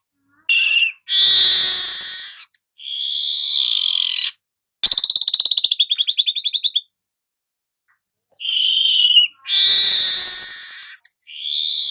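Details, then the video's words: Song of a golden-headed weaver: long harsh wheezing hisses with pauses between them and one fast buzzy rattling trill in the middle. "suara manyar kepala emas"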